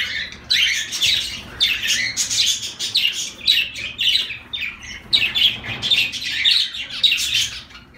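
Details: Zebra finches keeping up a steady stream of bright, nasal chirps and buzzes in overlapping bursts, several birds calling at once.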